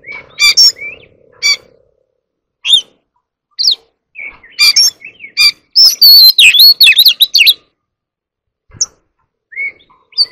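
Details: Oriental magpie-robin in competitive singing, a caged ornamental bird: loud, varied song of clear whistles and rapid chattering notes, sharp bursts separated by short pauses, with a fast run of rising and falling whistled phrases near the middle.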